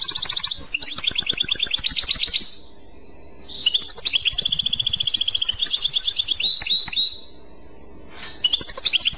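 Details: European goldfinch, clochette song style: bursts of quick, jingling high twitters alternate with sustained buzzy trills. They are separated by short pauses, and the singing resumes near the end.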